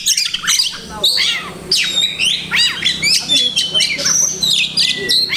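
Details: Oriental magpie-robin (kacer) kept as a cage bird delivering a dense mimicking song: rapid chirps, falling whistles and sweeping notes strung together without pause, loud and bright throughout.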